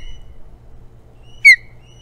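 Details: Osprey at Hog Island on the morning of 9 April 2017, one bird arriving and leaving. A single loud, piercing note drops quickly in pitch, set among faint whistled chirps and a low background hum.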